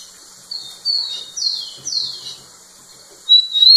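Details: Male rufous-collared sparrow singing close to a female: a short phrase of high, clear whistles, several slurred notes falling in pitch, then a thin rising whistle at the end.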